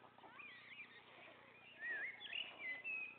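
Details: Three young white storks calling at their nest as the male parent brings food: thin wavering squeals and mews, growing louder in the second half with bright rising and falling whistles, over a constant low hum.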